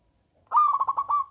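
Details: A single phrase from a loud local zebra dove, used to prompt reluctant doves to sing: seven or so quick, bubbling coo notes run together, ending in a slightly drawn-out final note.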